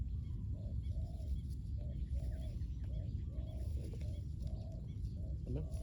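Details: Spotted doves cooing at a ground decoy used to lure wild doves: a run of short, soft coo phrases repeating steadily, over a loud low rumble, with a short rising squeak near the end.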